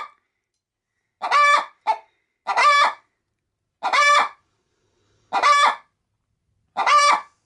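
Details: Pet hen preparing to lay an egg in a bag of chicken feed, cackling when approached: a steady series of harsh, nasal squawks spaced about a second apart, one short extra note early on.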